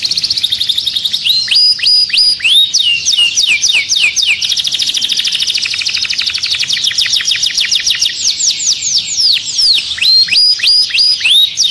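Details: Canary song used to activate birds for mating. Loud looping swoops at the start, a long quick rolling trill in the middle, then more separate rising-and-falling whistles toward the end.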